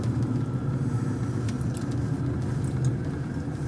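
Steady low rumble of road traffic and engines fills the recording, with no animal voices present.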